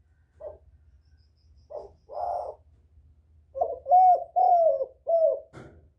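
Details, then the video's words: Spotted dove luring other doves: two short soft coos with a pause, then a tight burst of four hoarse, slurred coos, and a click at the close. "Tiếng chim cu gáy kích bổi mau nổi, cu gáy kích mồi hay"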